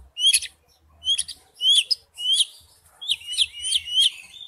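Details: Oriental magpie-robin lure song used as a ringtone: short rising whistled phrases with bright overtones, repeated in a series of about eight bursts separated by brief pauses.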